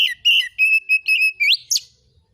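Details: Oriental magpie-robin (kacer) song, a lure recording meant to set other birds answering, in 'nembak isian' style: steady string of loud whistled notes, ending with two sharp rising sweeps.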